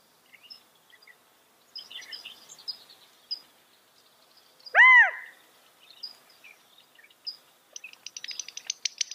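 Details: California quail utters one strong arched note midway through, surrounded by soft scattered chirps and a fast patter of high clicks toward the end.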